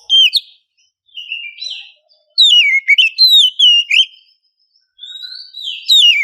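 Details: Oriental magpie-robin female in heat, calling a male in the morning: melodious whistled song of looping, descending slurs and rapid upturned notes, some softer phrases, a pause, then a rising-and-falling whistle.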